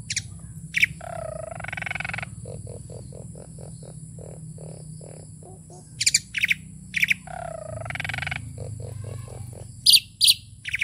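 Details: Asian pied starling, tame and singing vigorously: a warbled gurgling phrase then a row of short low piping notes, repeated twice, punctuated by sharp high chips, over a faint electrical whine.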